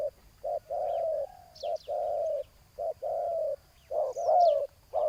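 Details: Spotted dove coos during ground decoy luring of a big-voiced rival: short hoots alternating with longer flat, drawn-out coos, rather soft, ending with a louder slurred phrase, and brief high bird twitters.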